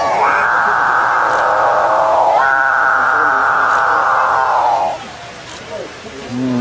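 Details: Capuchinbird song of two drawn-out, buzzy, cow-like drones, each lasting over two seconds at a steady pitch. A short lower note follows after a pause.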